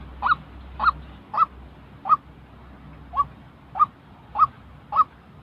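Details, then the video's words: White-breasted waterhen giving real calls for training trapping decoys: eight abrupt honk-like notes at a slightly uneven pace, each sharp and nasal, with low hum beneath. "tiếng chim quốc thật"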